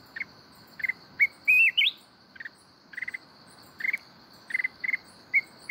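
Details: Red-whiskered bulbul from the mountains singing its wild 'kít bổi' voice: scattered bursts of short buzzy notes and one climbing, warbled whistle phrase, against a continuous thin high tone.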